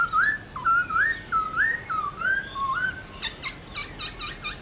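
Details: Morning competitive song of a Black-throated laughingthrush, 'forest voice' style, used to train young caged birds: a string of fluid whistled upslurs and dips, followed by a burst of rapid, sharp chipping notes.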